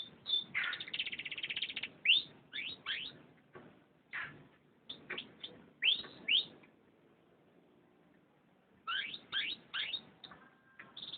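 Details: Canary song with a rapid buzzy trill at the start, then a string of quick, loud, downward-swept whistled notes in clusters, a pause of about two seconds, and another run of sweeping notes with a short trill.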